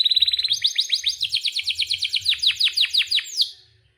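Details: Canary giving a lively tutor song: a fast series of sharp down-slurred whistles repeated about five times a second, slowing slightly, ending in a short rising sweep; faint low rumble beneath.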